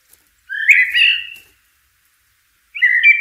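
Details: Blackbird singing in nature: a rich, fluting warbled phrase of about a second, pause, then the start of another mellow whistled phrase.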